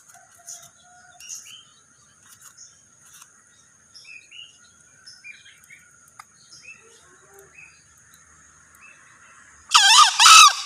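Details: Male green junglefowl gives a harsh, double-burst crow at the very end. Before it come about ten seconds of scattered faint chirps from other small birds and a steady high insect-like whine.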